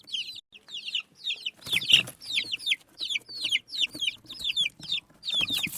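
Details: Baby chicks of a desi chicken breed eating rice; clear, high, down-slurred peeps come in rhythmic clusters about every half second, with short bursts of rustling noise.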